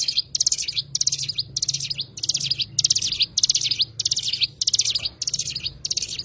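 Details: Cigun, the Oriental white-eye, repeating rapid, high, tinkling chatter in short bursts roughly every 0.6 seconds, steady and insistent, with faint low background noise.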